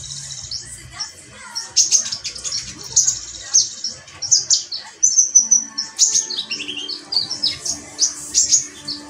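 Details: Metallic pygmy sunbird singing a rapid, very high-pitched stream of thin chirps and twittering notes in bursts, with faint lower whistles and soft background sounds.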